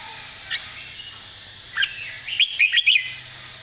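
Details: Red-whiskered bulbul model song phrase used for teaching caged birds: brief notes, then a quick run of four or five bright, warbled whistles near the end.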